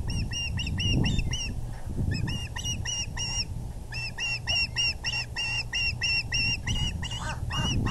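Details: Evening fish delivery by the male at the VGCC osprey nest, April 6, 2020: quick, evenly spaced whistled cheeps, about four a second, in two long runs over low background noise.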